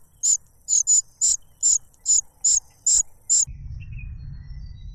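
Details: Cuckoo chick begging as its foster father feeds it a butterfly; nine sharp, very high single squeaks about every half second, then they stop and a low rumbling noise takes over.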